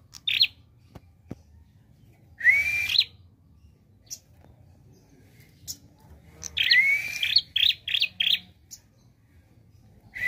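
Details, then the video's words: Prinia in 'gacor' song with 'nembak' variation: scattered high chirps, a rising whistled note, then a dense run of scratchy chirps and whistles repeated rapidly. "Prenjak Klawu Gacor Variasi Nembak"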